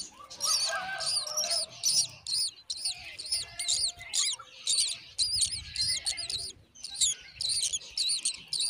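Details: Myna bird feeding her baby a spider; high, shrill, chattering squeaks come in quick bursts about twice a second throughout, with some lower warbled notes at the start.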